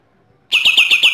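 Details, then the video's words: A Bornean green leafbird from East Kalimantan, singing actively, gives a rapid, machine-gun burst of high, down-slurred notes, about eight a second, after a brief silence. "Cucak ijo borneo gacor,nembak ak 47"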